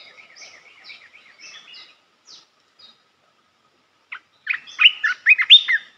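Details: Red-whiskered bulbul training song for young birds: soft high chirps and twitters at first, a near-silent gap, then a loud, clear phrase of whistled, bouncing notes closing the recording.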